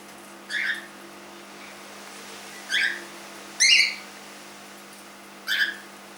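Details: Young cockatiel, 3 months old, indoors, uttering four short, separate chirped notes with an upward inflection and rich overtones, spaced about one to two seconds apart over a low steady background hum.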